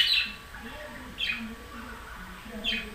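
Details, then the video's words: Budgerigar squawking: three sharp, harsh chirps about a second apart, each loud then fading, with soft lower murmuring sounds in the background between them. "Perusi Care Canta"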